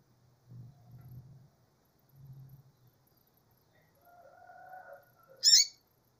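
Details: A calling female Double-collared Seedeater gives one loud, sharp, high call near the end, after a lower drawn-out tone and some soft low rumbling.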